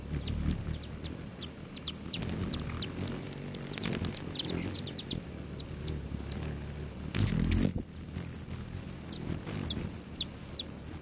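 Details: Several hummingbirds visit feeders on a west-facing lodge patio near Great Sand Dunes National Park, Colorado, one July morning; scattered high clicks and chips, then a wavering high-pitched whine late on, over faint low background noise.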